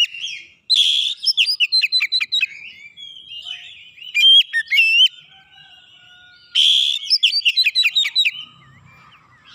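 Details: Oriental magpie-robin song as a training recording to draw out other birds: rapid harsh chattering bursts with ringing whistles, a loud slurred phrase midway, then another energetic burst and soft trailing notes.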